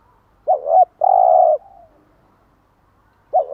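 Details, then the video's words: One full bai ban morning phrase from a spotted dove, used to train caged birds: a quick wavering double note, then a long steady burry coo. A new phrase begins just before the end. "Tiếng chim gáy bài bản gáy buổi sáng"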